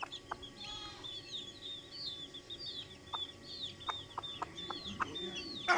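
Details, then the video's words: Chicken hen calling her chicks: scattered soft clucks spaced irregularly beneath a busy layer of high, arching chick peeps, ending in a loud harsh note. "Hen Noises For Chicks | Chicken Hen Sound Effect"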